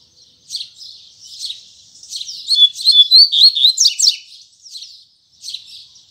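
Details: Double-collared seedeater delivering its morning song in the Tui Tui Zel Zel style. Soft, high twittering notes build into a loud, rapid run of sharp whistled and buzzy notes, then trail off into short calls.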